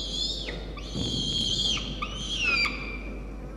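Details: Hungry peregrine falcon chick begging from its mother soon after a feeding, nibbling at her toes and beak; loud harsh wailing screams in drawn-out bursts, some slurring downward at the end, with faint background hum.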